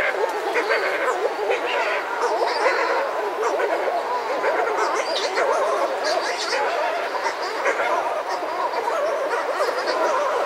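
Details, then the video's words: Pair of Buller's shearwaters calling at close range outside a burrow while other birds call nearby: continuous, tangled warbling wails with quavering pitch, a few sharper higher notes above, and constant surf beneath. "Buller's Shearwater. CU Calls From A Pair. Other Birds Outside Burrow."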